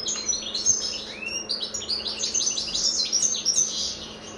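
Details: At the start of the 2022 season, a European goldfinch sings a fast, liquid twittering run of high tinkling notes with a few buzzy trills and one rising slurred whistle, over a faint low hum.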